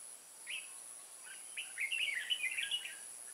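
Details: Decoy red-whiskered bulbul at Kim Bôi, Vietnam, 14 May 2018, singing to draw wild birds into a trap: one brief chirp, then a rapid tumbling phrase of bright warbled notes, with a constant high insect drone behind.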